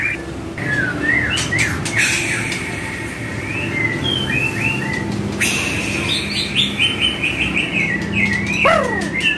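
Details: White-rumped shama song on a mild training track for kept birds: spaced whistled upsweeps, then a quick rattling series of repeated notes and a downward swept whistle, steady low hum throughout.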